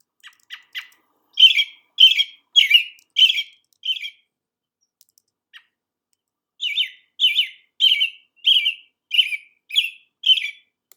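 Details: An American Robin, a sign of spring in Maine, sings the song most often heard at dusk: clear, warbled caroling phrases, each short and slightly rising then falling, in a steady string with one brief pause midway.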